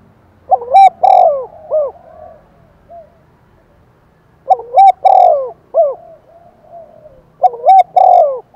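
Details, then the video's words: Decoy spotted dove calling strongly to goad wild doves into answering, giving three bursts of mellow cooing, each a quick rising double note, a long falling coo and trailing softer notes, some sharp clicks above. "Tiếng chim cu mồi thúc bổi rất căng và sung, bổi nghe ngứa gan và gáy theo"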